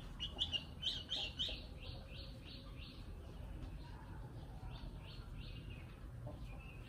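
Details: Nightingale singing: a quick series of about fourteen bright, repeated chirping notes delivered in a steady run, then a short pause and a final note, faint over a constant low rumble and background hiss.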